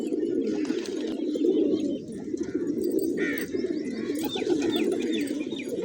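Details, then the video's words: A flock of hungry pigeons feeding on grains on a village morning keeps up a steady, low, throaty cooing that overlaps into a continuous murmur, with a few high chirps from small birds above it. "Cute Pigeons Eating, Playing & Making Funny Sounds"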